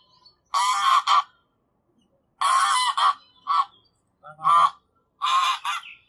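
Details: Goose honking, recorded in 8D audio: four bursts of loud, harsh, nasal honks, each doubled or tripled, separated by brief silences over about six seconds.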